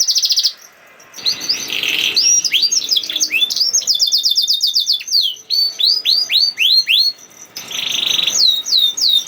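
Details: Canary song played to encourage other canaries to sing: a brief buzzy burst, then rolling trills and runs of downward-swept whistles, another harsh buzzy burst, and more falling whistles.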